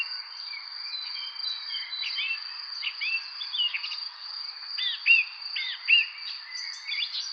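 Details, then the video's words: Spring evening birdsong with scattered chirps and looping whistled phrases, growing louder and clearer toward the end, set against a continuous shrill insect hum. "evening spring birds chirping"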